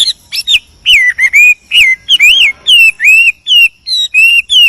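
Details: A male Chinese hwamei sings in the wild to call a female. Loud, pure whistles rise and fall in separate phrases about two seconds apart, over a faint low rumble.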